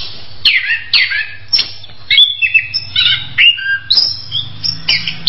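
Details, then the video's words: Orange-headed thrush giving loud downward-sweeping whistles followed by a jumble of short twangy notes and high squeaks, over a soft low background hum. "SUARA ANIS KEMBANG"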